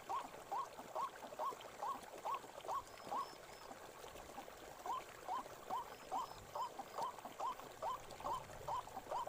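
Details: White-breasted waterhen in a forest: a long, rhythmic string of short rising calls at roughly two per second, with soft faint chirps higher up and low background rumble.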